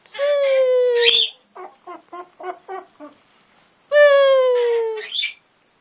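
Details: Pet military macaw, a territorial, hormonal male bluffing on top of his cage: two long, loud, harsh drawn-out calls with many stacked harmonics, slightly falling, separated by a quick run of short clipped notes.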